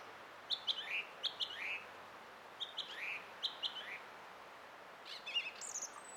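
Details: Song thrush singing on 20 April 2016: short bright phrases, each given twice, with rising slurred notes between and a high thin flourish at the end, against a quiet background hiss.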